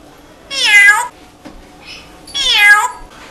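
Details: Coco, a rescued pet bird, is asked to meow and imitates a cat with two drawn-out, rising-then-falling meows about two seconds apart, with a soft brief sound between them in a quiet room.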